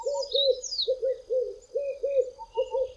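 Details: Pair of Red-eyed Doves singing atop tall trees on a hot South African day; rhythmic low coos in clusters of two and three, a fainter second dove audible, and thin whistles from other birds overhead.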